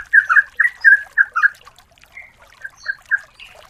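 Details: Female yellow-vented bulbul calling the male as a lure: a handful of loud, liquid whistled notes, then quieter, sparser chirps trailing off.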